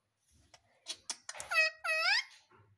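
An Indian ringneck parrot gives a few soft clicks, then two nasal, speech-like squawks in quick succession, the second rising in pitch; a quiet indoor room.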